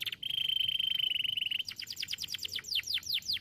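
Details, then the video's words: Canary song used as a master recording to train other birds: a long steady high whistled trill, then a fast series of sweeping downward notes, bright and loud against a quiet background. "kenari Model apapun bakal cepat respon dengar cuitan kenari ini"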